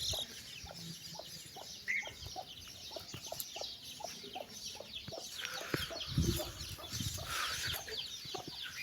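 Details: A mother hen calls her chicks for a walk with soft low clucks repeated about every half second, under a dense chorus of shrill chick peeps that swells toward the end.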